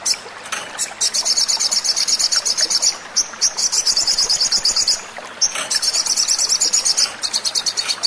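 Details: Sogon song used as a lure to make captive birds start singing: very high, rapid buzzy trills in bursts of about two seconds, separated by short breaks and scattered sharp chips.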